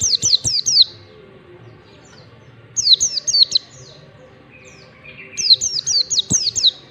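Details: A white-eye sings ngalas style, for training birds: three separate bursts of four or five high, sharply falling whistles, roughly every two and a half seconds, with a few softer chirps in the pauses.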